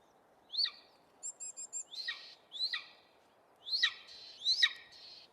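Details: Golden Eagle (Aquila chrysaetos) in southeastern Arizona gives thin, high, downslurred yelping chirps, five in about five seconds, with one quick run of four short clipped notes, over a steady low hiss.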